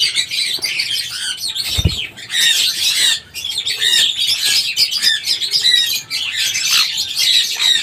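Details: Steady racket of sun conure screeches and chattering squawks, interrupted by one dull low thump early on.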